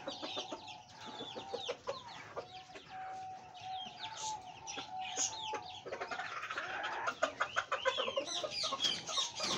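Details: Fancy hen clucking and squawking in a noisy aviary, with other birds' chirps and whistles overlapping throughout and louder bursts of calls in the second half.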